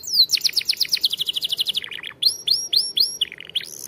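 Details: Champion canary singing for training young canaries: a very fast even trill of sharp high notes for nearly two seconds, then rising hooked whistles repeated about five times and short chirps.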